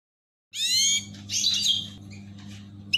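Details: Caged goldfinches during mating: a short burst of bright, high twittering notes with a buzzy chatter after a brief silence. A steady low electrical hum runs underneath.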